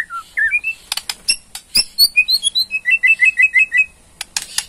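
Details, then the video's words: Ketrekan of a Borneo white-rumped shama used to provoke response: short falling whistles, sharp clicks, then a quick series of high chirped notes repeated about ten times, ending with dry ticks. "KETREKAN MURAI BORNEO BONGKAR ISIAN // SEKALI PUTAR AUTO RESPON"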